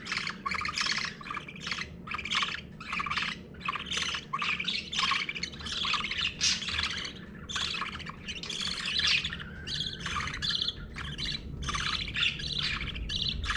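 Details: A parakeet mother feeds her one-week-old budgerigar chicks, which beg with harsh, raspy squawks in quick, rhythmic bursts.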